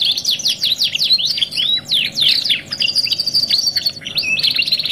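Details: Singing canary, "2 in 1" masteran training song: a jumble of swooping chirps and short whistles, then a rapid high trill held for about a second, followed by more chirped phrases.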